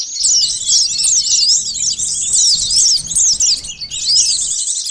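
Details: Sunbird song used as a bird-catching lure: fast, high, sibilant twitters and quick up-and-down slurred notes running nearly continuously, with a brief gap near the end and a soft low rumble in the background.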